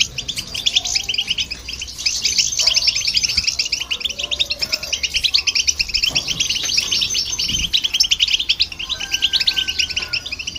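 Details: European goldfinch singing with a hybrid to stir other birds: long unbroken bout of rapid, liquid twitters and trills, a faint whistled tone appearing near the end over light background rumble.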